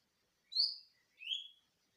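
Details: Greater green leafbird in natural song, used to prompt untrained birds to sing: two clear slurred notes, the first sharp and high, the second lower and drawn out, with silence around them.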